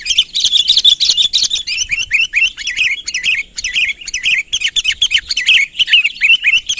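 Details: Sooty-headed bulbul calling to bring a rival nearer, unaltered natural voice; a rapid burst of high, crowded chirps opens, then wavering whistled notes rise and fall in quick, uneven succession.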